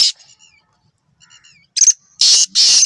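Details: Black francolin in Sindh, Pakistan: faint thin notes at first, then three loud, rasping, harsh bursts in quick succession.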